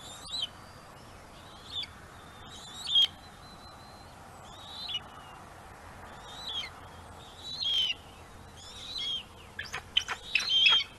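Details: Bald eagles at a nest on Gabriola Island, an adult mantling and keeping prey while a juvenile waits to steal it; thin, high squealing whistles and chirps in irregular bursts, ending in quick chittering, over faint hiss.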